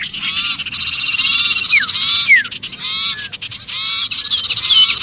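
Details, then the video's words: Trapped-sounding sirpu distress call used to attract other birds: continuous harsh, rattling buzz laced with short curved whistles and a few quick downslurred notes. "suara pikat sirpu Ribut kejepit"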